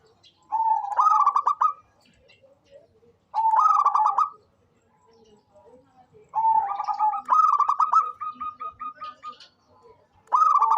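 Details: Zebra dove of the local type, kept as a keen singer for luring birds, repeats pulsed cooing phrases about every three seconds; one longer run trails into a steady stream of even staccato notes.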